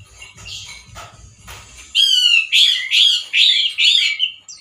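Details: Male orange-headed thrush in 'gacor teler' style. Scratchy clicks and noise come first, then from two seconds five loud, repeated slurred whistles, each about half a second apart.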